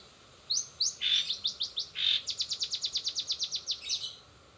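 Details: A long-tailed shrike sings in fast 'rol spid' style, filled with greja BR, greja restu, sogon and kenari phrases: a few high notes, then a rapid even roll of about sixteen sharp chips.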